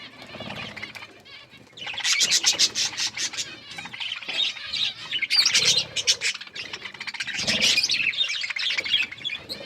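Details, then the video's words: Several Australian parrots, budgerigars, chirping while eating corn; quiet low rustling first, then from about two seconds dense bright chattering and warbling from many birds in overlapping rapid bursts, with short pauses. "Australian parrots eating corn birds chirping sounds"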